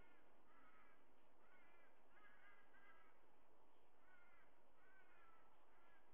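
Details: At a nest watched by a live camera, a white-bellied sea eagle gives repeated loud honks in rapid clusters, with a pause midway before another burst, over hissing background noise.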